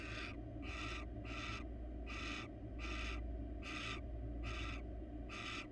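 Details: Wild barn owl pair in a nest box, the male holding a rat he is reluctant to give the female. Rasping, noisy hissed screeches come in a steady series, about one every 0.7 seconds, above a continuous low electrical hum.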